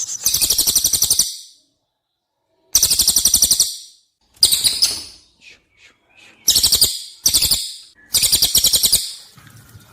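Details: Cililin song used as masteran training audio for competition birds: repeated bursts of rapid, shrill, high-pitched trilling, each about a second long, with silent gaps between and a few faint short chips in one pause.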